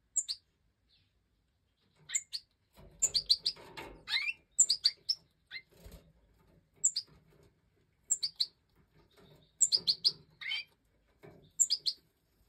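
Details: Five Major goldfinch chicks, captive-bred in 2024, beg after leaving the nest while the hen feeds them. Sharp high tweets come in spaced groups every second or two, one busier stretch near the start, otherwise quiet.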